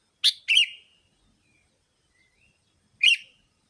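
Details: Lure sound of sooty-headed bulbul for attracting bulbuls: a rapid two-note chirp with a slurred tail, then silence and one more bright chirp about three seconds later.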